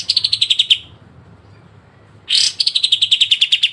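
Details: Sharp besetan trill of a pied triller, played for training songbirds: the end of one fast high trill, over a second of quiet, then a new trill opening loudly and pulsing rapidly and evenly.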